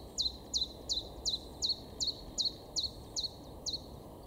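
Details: Great tit in a garden in Weener, East Frisia, far northwest Germany, April 2023: a steady series of about eleven high, sharp, down-slurred notes, roughly three per second, over a low background hum.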